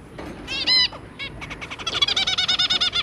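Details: Zebra finches, two parents and three babies, January 2022: a strong drawn-out nasal call, then a fast, steady chattering run of about ten short calls per second-and-a-half.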